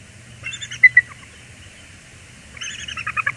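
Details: Wild bald eagle pair at Port Tobacco, USA, on January 14, 2021, calling loudly in greeting: a brief high chittering series, a pause, then a longer run of rapid pulsed notes over faint low hum.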